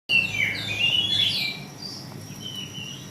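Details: Female Oriental magpie-robin giving its cretekan chattering call: a brief burst of bright whistled notes, rising then falling, followed by fainter, higher thin whistles as the sound fades, with low background hum.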